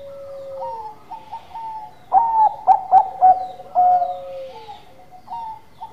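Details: Manggung song of a Bangkok zebra dove. Soft faraway coos lead into a loud series of quick bright notes and a long, even closing coo, followed by a single quieter coo.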